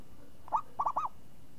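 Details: Champion zebra dove, crisp and swinging in tone, utters one opening coo, then after a short gap a tight run of three rounded cooing notes.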